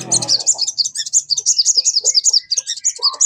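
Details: Sogon singing, played as a lure to prompt a kept bird to sing: a dense, rapid, high-pitched chattering of sharp twittering notes, repeated almost without pause, with a few lower short notes underneath.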